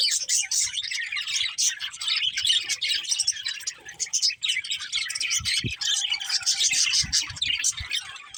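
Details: Budgies warble and chirp in a lively overlapping chorus of high rapid notes that briefly softens midway, then swells again, with a few low thumps toward the end.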